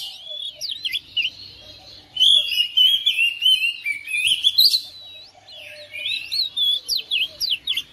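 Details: Oriental magpie-robin kept at home, singing in response to another bird: varied whistled and chattering phrases with quick up-and-down sweeps, broken by short pauses, in bursts about three or four per second.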